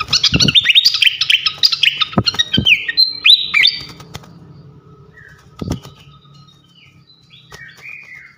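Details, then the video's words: Fantail (srikatan kipas), a champion bird singing openly, used to train songbirds. Dense, fast chattering warble with sharp chirps and short whistles, interrupted by several wing flaps, fading into sparse soft whistles. "gacoan ngeplong masteran asah mental burung jawara khas srikatan kipas"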